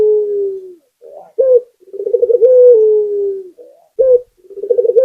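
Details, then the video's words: Local spotted dove singing steadily: a drawn-out falling coo, a soft note and a short coo, then a bubbling rolled sequence into another long descending coo, with a second phrase starting at the end. "Suara Burung Puter Gacor"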